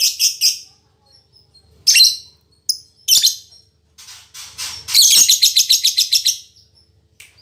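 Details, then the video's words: Caged female lovebird, a fighter type used as a model for training other lovebirds: quick harsh chirps, scattered squeaks, then a fast rhythmic run of rasping notes about a second and a half long. "Suara Burung Lovebird Betina Fighter"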